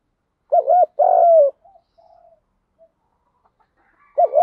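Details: Spotted dove coo in the rural "thúc gù" style, including female and male birds' voices, played to stimulate and train decoy doves. A quick double coo, then a longer level coo, with soft short murmurs after it. The double coo repeats at the end, against a quiet background.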